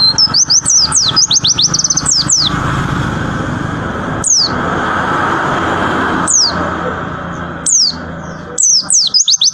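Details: White-eye singing in bursts: a quick chattering run of high descending whistles at the start, then single sharp downslurred notes every two seconds or so, with a short trill near the end, over steady low hum.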